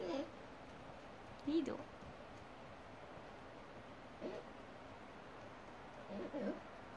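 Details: Pet hyacinth macaw on an outdoor balcony, trying to say its name and other words: a few short, quiet, voice-like syllables spaced across several seconds with gaps of silence, faint background hiss.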